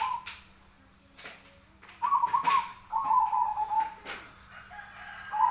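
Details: Zebra dove fighting call used as a training recording for birds: a few rapid trilled cooing phrases, short broken notes at first, then two longer trills back to back, with clicks and faint room noise between.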